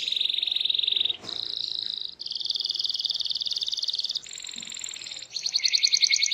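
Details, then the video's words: Energetic canary song intended to set other canaries singing: long continuous high rolling trills, each held one to two seconds before switching to a new pitch, ending in a faster pulsing trill. "Apapun Burung Kenari nya, BAKAL RESPON IKUT BUNYI dengar Suara Kenari GACOR INI"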